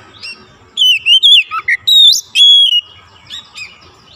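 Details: After a single lure, a magpie robin bursts into loud gacor song, a series of strong whistled notes, some sweeping upward, some dipping low, separated by short gaps, with a quiet background hum.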